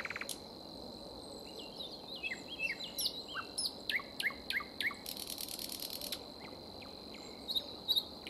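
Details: A common nightingale sings in spring, giving varied phrases of sharp whistles and quick down-slurs, then a fast, harsh rattling trill, over a steady high insect-like hum.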